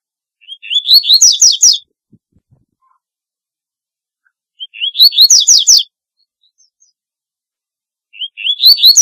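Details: Double-collared seedeater repeating its song about every four seconds: thin whistles that climb, then a rapid cluster of bright, buzzy downslurred notes, three phrases in all with no other sounds.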